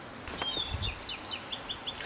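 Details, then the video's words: An unidentified bird, its voice likened to an owl's, singing beside a valley stream at a solo campsite with a wooden tent: a quick series of thin, high, sharply falling whistled notes about every quarter second, with a brief low thump early on. "Một chú chim có giọng hót như cú vọ."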